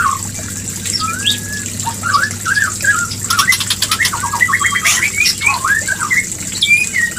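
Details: White-rumped shama voicing a breeding call meant to stimulate mating; varied short whistles and slurred notes scattered throughout, broken by brief clicking rattles, against steady hum and noise.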